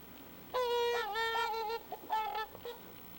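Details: Trumpeter swans give loud, nasal, horn-like honks, which parents use as contact calls to keep the family together: a long drawn note dipping slightly in pitch, then a shorter, higher honk and a faint final one.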